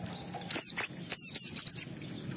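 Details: Caged oriental white-eye at home, singing hard to rouse rival birds: a brief run of high, thin, falling whistles and quick trilled chips packed into under two seconds.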